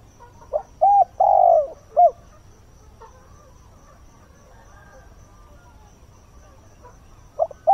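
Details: A spotted dove decoy calls at dawn to lure wild birds. It gives one clear cooing phrase of a short note, a hoot, a long falling coo and a brief arched note, then a long quiet stretch, then soft notes again at the end.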